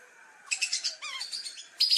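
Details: Lesser whistling duck lure sound: a few quick high notes, then slurred downward whistles, and a sharp squeaky call at the end, over light background hiss.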